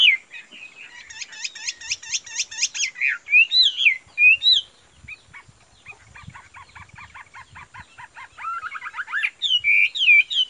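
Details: Caged Chinese hwamei offered for sale gives a varied song of quick repeated chirp series and slurred looping whistles, with a quieter stretch of thin rapid notes midway before loud whistles return.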